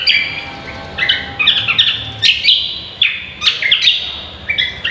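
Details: Cucak kombo singing vigorously for a masteran contest-training recording, giving quick clusters of bright, sharp whistled notes and short trills separated by brief gaps, loud and clear against faint background hum.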